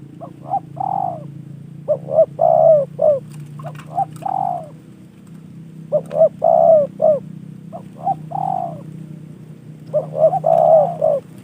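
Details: Gifted, trained spotted dove cooing steadily: phrases of quick paired notes followed by a longer mellow coo, repeated about every two seconds over a low humming background.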